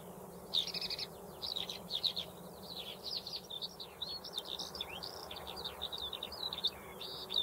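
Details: Eurasian skylark in continuous song, a long unbroken stream of rapid high warbles, trills and chirps with little pause, over faint low rumble.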